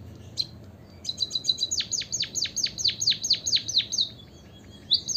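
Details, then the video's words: A white-headed munia gives one high note, then a stuttering buzzy start. A long, evenly paced series of piercing, downward-slurred whistles follows, around twelve in a row, before a closing high note. "pancingan emprit kaji biar gacor - suara pancingan burung pipit berkicau agar ikut bernyanyi"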